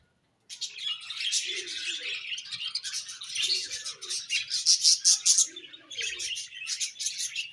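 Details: Morning chirping from budgerigars, a continuous high warbling chatter of quick squeaky notes with a few lower mellow tones mixed in, rising into brighter sharp peeps toward the middle.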